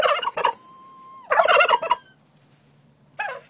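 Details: Turkeys in a barn give loud, rapid, rattling gobble-like bursts. A long steady tone runs between the first two bursts, and a shorter burst comes near the end.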